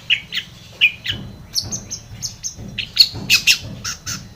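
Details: Long-tailed shrike song used to provoke a silent shrike into singing; a rapid jumble of short chirps, squeaky whistles and harsh notes, rising in density toward the end, over a low steady background hum.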